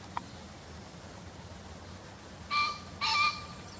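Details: From a field-guide recording, a green pheasant delivers a double crow: two abrupt, raspy, honking notes about half a second apart after a quiet pause, with a single faint click earlier.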